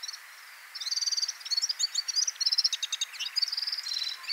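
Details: Red-fronted serin, a small high-mountain finch, giving a rapid, high-pitched tinkling twitter of short buzzy trills and chirping notes run together for about three seconds, with a clean quiet background.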